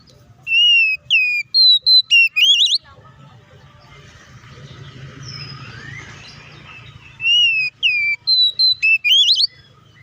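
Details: Oriental magpie-robin in loud fighting song, known as ngeplong tarung, used to provoke other magpie-robins into aggression: two bursts of clear, high whistled notes, some rising sharply, separated by about four seconds of low hum and faint background noise.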